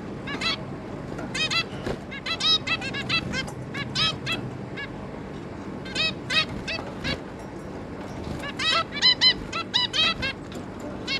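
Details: Zebra finch pair with their three juveniles, recorded 11 May 2022, giving short, nasal, toy-trumpet beeps in quick irregular bursts, several birds calling over one another above a low background hum.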